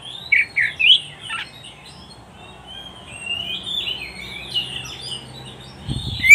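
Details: Oriental magpie-robin song, a recording for training pet birds: a few short, loud whistled notes in the first second and a half, then faint high warbling and a low thump at the end.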